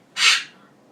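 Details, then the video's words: A pet Goffin's cockatoo at night, lively and bouncing around atop its cage, lets out one short, raspy, noisy squawk that fades quickly. The owner compares this rarely heard noise to a goose. "Silly Goffin sounds like a goose"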